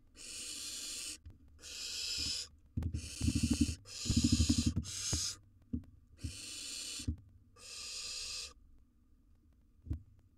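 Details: A wild barn owl nestling feeding on a gerbil in a monitored nest box calls with a series of harsh breathy hisses, overlapping clusters of low thumps and clicks from handling the prey.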